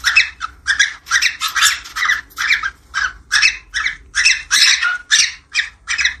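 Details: Budgerigar mating call for stimulating breeding: a steady run of short, harsh, buzzy squawks, about two each second, unevenly spaced.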